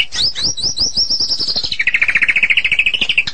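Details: White-rumped shama from Medan in full, continuous song: a rapid series of high whistled notes falling into a fast, evenly repeated trill of lower whistles.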